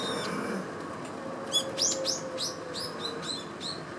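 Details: Eurasian tree sparrows feeding in winter give a loose series of about ten short, sharp chirps, some squeaky and rising, spaced irregularly over roughly two and a half seconds against a steady background hum.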